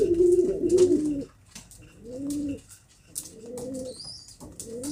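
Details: Domestic pigeons in a small loft, locally called kobutor, give low, rolling coos in separate bursts, each with a slight rise and fall, spaced by short quiet gaps; faint chirps and rustles in the background.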